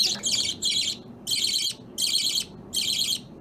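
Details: Captive budgerigars of opaline and lutino varieties, playing with a chain at home; loud, harsh, buzzy squawks in five bursts of about a third of a second, spaced by short pauses.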